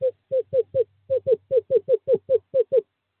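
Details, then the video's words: A male screech owl calls to draw a female to his nest box in courting season, 2/11/2023. About thirteen clipped, falling hoots come in an uneven series under a faint low steady hum. "Male screech owl calls female to owl box 5"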